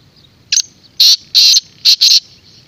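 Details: Black francolin calling with loud, grating, buzzy bursts: a short first note, then two long harsh notes and two quick ones, over faint background hiss.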